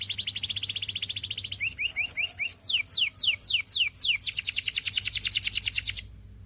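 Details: Belgian canary delivering rapid high trills, then a series of separate rising and falling slurred notes, closing with a fast buzzy roll that cuts off sharply.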